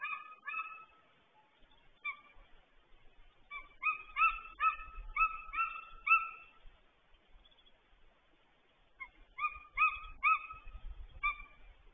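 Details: A golden eagle calls at the nest as another eagle comes in, heard through a nest camera: rapid runs of bright, ringing yelps, up to six in quick succession, pausing and starting again, with faint low rumbling beneath.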